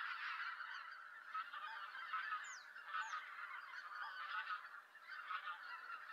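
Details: Greater White-fronted Geese calling as they come in to roost in Japan in November, while harriers also roost; loud overlapping honking from many geese, with two thin high descending squeals near the middle.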